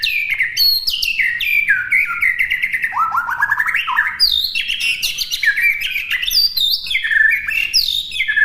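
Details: Continuous White-rumped shama master song for imitation by birds: dense, varied whistles and sharp descending notes, with a brief run of low rising trills in the middle, sung without a break.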